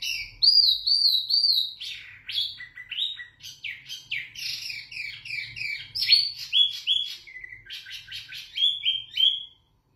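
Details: Zebra finch singing in captivity, recorded as a clear tutoring song: a wavering nasal note series, then a dense jumble of rapid, scratchy and buzzy elements with sharp upslurs, continuing for about nine seconds before stopping.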